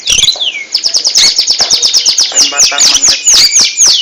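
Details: Oriental magpie-robin, known locally as kacer, a songbird kept for song contests, sings a loud, dense run of rapid high-pitched whistles, sharp chips and descending slurred notes, about four per second, with no pause throughout.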